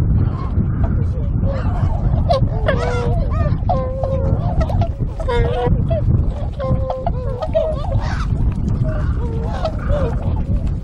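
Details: Many tundra swans calling together at a river wintering ground in Kawajima, Saitama, Japan, 4 February 2017; loud, hoarse, bugling honks come in clustered bursts and brief exchanges, backed by a continuous low rumble.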